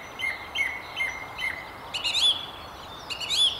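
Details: Song thrush singing from the very top of a tree beside the River Tyne near Haddington: a phrase of four short notes repeated at an even pace, then a brighter, more complex phrase twice over, in quiet open air.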